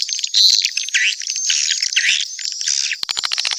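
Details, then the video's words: Mixed swiftlet calls: dense, high chirping and trilling chatter with rapid clicking pulses toward the end, many birds overlapping. "Sp burung walet campuran"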